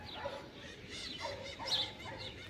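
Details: A free-flying pair of blue-winged macaws (Primolius maracana), courting and billing while feeding on Surinam cherries in a fruiting tree, give harsh, scratchy squawks with quick falling sweeps, several in under three seconds, over a soft background murmur.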